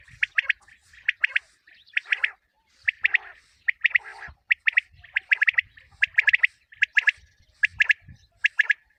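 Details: Common quail calling, used for quail hunting in the morning; crisp three-note bursts of bright clipped chirps recur regularly about every half second, with low faint knocks underneath.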